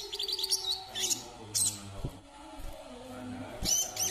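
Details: [['Brown-throated sunbird, Kalimantan, uttering clusters of bright, high chirps and tweets in short bursts with gaps between, over a low hum and occasional soft knocks.']]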